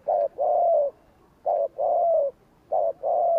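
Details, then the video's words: Spotted dove's 'gù kích' coo used to provoke wild birds: three loud phrases, each a short note followed by a longer, slightly falling coo, about one phrase every 1.3 seconds. "Tiếng cu gáy gù kích chuẩn / Chim cu gáy gù kích bổi chuẩn nhanh nổi / Cu gáy gù phóng"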